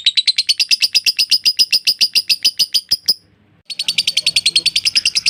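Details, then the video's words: Lovebird in long ngekek chatter, recorded as training material: rapid pulsed buzzy notes for about three seconds, a brief silence, then the fast trill resumes at full strength. "LOVE BIRD NGEKEK PANJANG"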